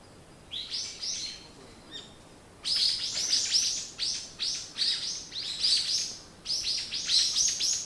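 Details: Birds twittering in the morning: a few soft high chirps, a brief lull, then a steady, lively stream of bright, rapid chirps in runs of several notes, repeated without break to the end.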